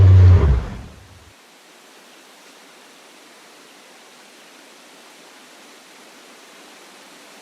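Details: A brief loud low thump fades within a second into a quiet, steady hiss, and no animal is heard.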